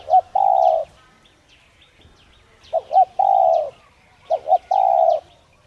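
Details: Repeated spotted dove cooing meant to provoke other doves into calling: a pair of quick hooting notes followed by a drawn-out even coo, three phrases, small birds chirping faintly in the background.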